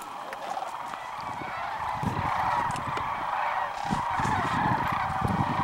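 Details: Thousands of sandhill cranes flying in at midday to Whitewater Draw, southeastern Arizona, January 1, 2012; a dense chorus of rolling, bugling calls over gusty, rumbling wind.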